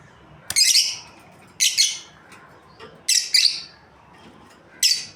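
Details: Lovebird breeding pair calling with loud, grating high chirps, several doubled, in four clusters over about five seconds.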